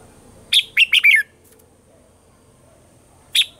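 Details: Red-whiskered bulbul with a mature wild-forest voice singing at morning, a lure for training caged birds: a rapid run of four or five chirpy, falling whistles, then quiet and one further bright note.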